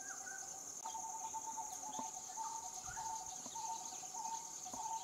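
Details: Low hollow notes of coppersmith barbet repeat quickly, with a second, slightly higher series overlapping. A loud unbroken insect whine runs throughout, with occasional clicks.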